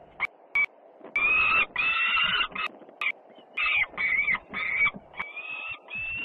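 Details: Noisy homecoming of a young peregrine falcon sister at feeding, Włocławec, Poland, 3 June 2010: two short clicks, then loud, harsh, drawn-out screeching calls with gaps, some rising and falling.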